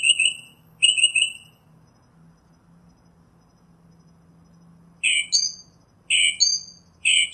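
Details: Northern mockingbird song with a pair of buzzy high phrases, a long quiet gap, then clear two-part notes that drop sharply from very high, repeated three times.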